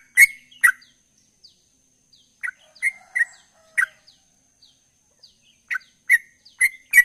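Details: Sooty-headed bulbul in gacor ropel song, with broken bursts of slurred chirps separated by quiet gaps. Faint, softer notes sound in the background, and the clip ends with a cluster of louder ringing notes.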